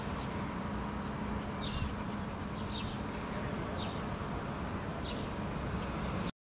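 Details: In Helsinki, Finland, July 2013, a group of house sparrows searches the ground for food and a female feeds a fledgling; brief high chirps and quick clicking notes cluster midway, masked partly by a continuous low hum.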